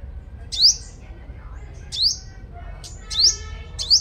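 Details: Sunbird kept as a lure bird, described as a strong singer, from Long Thành, Đồng Nai, Vietnam: sharp, high, thin upswept notes, three to four short bursts roughly a second apart, over a low background hum.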